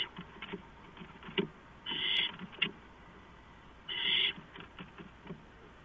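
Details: Owls at a camera-monitored nest box, three birds present, at 4:45 AM on April 6, 2015; two prolonged, breathy screeching rasps about two seconds apart, with scattered light clicks and scuffing in between.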